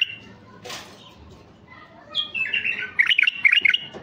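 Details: Mutation male White-eared bulbul singing to stir raw wild bulbuls: after a quiet stretch with a brief noise, a lively run of fluty, wavering notes builds into rapid bubbling phrases at the end.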